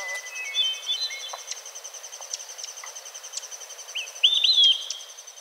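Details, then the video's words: In a Newfoundland forest an olive-sided flycatcher sings one clear, slurred whistled phrase near the end: a quick opening note, then two swooping notes. Before it, softer whistled notes from other birds come over a constant high hiss. "Olive-sided Flycatcher Song"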